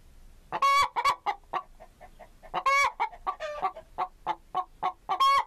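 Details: Chicken (Gallus gallus): a busy run of rapid clucks broken by three loud, piercing squawks, near the start, the middle and the end.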